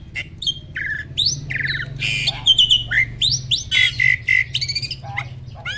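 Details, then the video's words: Asian pied starling, a mature caged male ready for breeding, delivering a pumping display song of raspy squawks alternating with bright whistled notes and chattering phrases, repeated several times a second. "BURUNG JALAK GACOR MOMPA-MOMPA!!! JANTAN TULEN."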